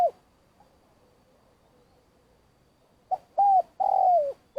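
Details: Spotted dove used as a trapping lure, calling: a faint tail of a coo, a quiet pause of about three seconds, then a phrase of a short note, an arched coo and a long falling coo.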